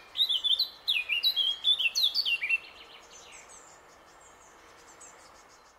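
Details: A Eurasian blackcap in summer in the Middle Vistula Valley, Poland, gives a rich, fast warble of clear fluting notes for about two and a half seconds, then fades into quiet background hiss with distant birds.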